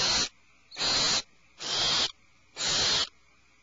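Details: In the nest cavity, alarmed owlets let out four broad, scratchy hissing screeches, fairly evenly spaced, just under a second apart.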